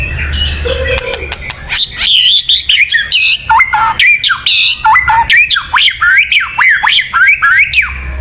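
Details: White-rumped shama song for luring birds: busy chattering start, then a steady series of sharp up-and-down whistled notes repeated roughly twice a second with clicking accents.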